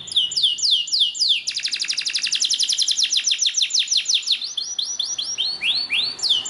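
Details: Song of a Belgian canary, offered to get canaries singing: looping whistled notes, then a fast, sustained trill that slows into distinct dropping notes and ends with mellow, curved whistles.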